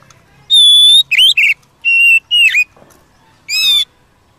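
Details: Wild Oriental magpie-robin singing outdoors, used to provoke a kept bird: loud clear whistled phrases, a long steady note, then buzzy rising and falling slurs and a final rich note, separated by short pauses.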